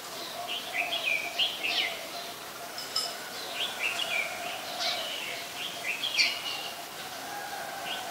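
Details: Adult red-whiskered bulbul at Ubon Ratchathani, Thailand, 3 January 2021: short bubbly warbled phrases of rising and falling notes, repeated irregularly over a steady hum and hiss of background noise.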